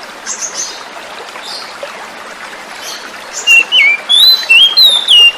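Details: Oriental magpie-robin from the wild, singing as a lure for non-singing birds; a long stretch of soft running water, then the last two seconds bring bright, loud whistled notes sliding between pitches.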